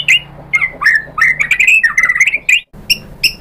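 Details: White-rumped shama answering after provocation with harsh, squawky, strongly modulated notes run together in a rapid burst, a brief silence, then two short sharp calls.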